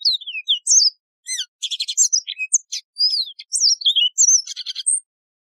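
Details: Song of the Yellow-fronted canary (Mozambique serin), a wild canary noted for a ringing, beautiful voice: a fast, continuous run of high swooping whistles, buzzy trills and chirps with almost no pauses, clear and without other sounds.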